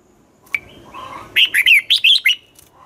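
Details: Morning song of a red-whiskered bulbul, a twisting style used to train young birds: after a thin whistle and low murmur, a quick run of six loud, looping whistled notes.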